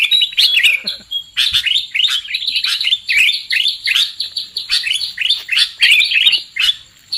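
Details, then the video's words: Sooty-headed bulbul lure call for bird trapping: repeated bursts of chirping, slurred whistles packed closely together, easing off toward the end. "Suara PIKAT Burung KUTILANG"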